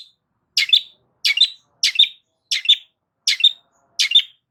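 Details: Loud Long-tailed shrike song, used to provoke silent shrikes into answering: a harsh, chattering burst with a short whistled tail, repeated six times at roughly seven-tenths-second gaps in otherwise clean silence.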